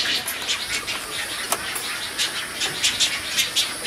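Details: Tricolored herons at a nest in Florida in 2014, with chicks being fed; short, harsh, hissy bursts come in irregular runs, some sharper clicks among them, over a steady rushing background.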